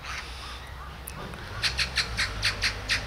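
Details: Great spotted woodpecker calling in Hanbam Village, Daeyul-ri, Bugye, Gunwi, North Gyeongsang, Korea: after a quiet start, a quick run of about eight sharp, clipped kik notes, evenly spaced, over a low background hum.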